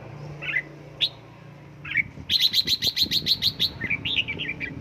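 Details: Caged red-whiskered bulbul trained at home toward the fired-up căng lửa singing style: a few scattered bright chirps, then a rapid run of about a dozen sharp, evenly spaced high notes, ending in warbled phrases.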